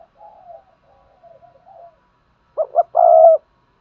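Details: Spotted dove used as a decoy to stir wild doves into cooing: soft, low wavering coos, then two short punchy notes followed by a longer, louder sustained coo near the end.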